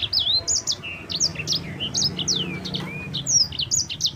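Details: Champion yellow-fronted canary singing a clear rolling song to lure others into song: bright looping whistles and down-slurred notes over a faint low hum.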